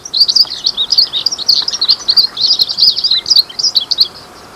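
A Glaucous-blue Grosbeak sings a fast, high, continuous warble of twittering notes for about four seconds. No other sounds stand out.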